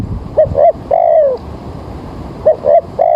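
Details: Early-morning spotted dove coo at a bird-trapping spot, weather turning rainy: quick paired notes leading into a long descending coo, then a second phrase starting, with low murmuring noise behind.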